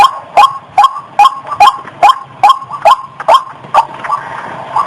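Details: A white-breasted waterhen female in breeding condition, close to mating, gives rhythmic, harsh clipped notes, around twelve in quick succession at an even pace of two or three per second, the last few fading slightly.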